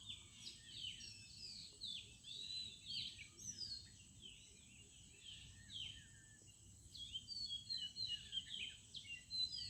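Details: Village birds at dawn time, giving a busy stream of short high chirps and whistled notes in bursts, with brief quieter gaps between phrases and low background hum.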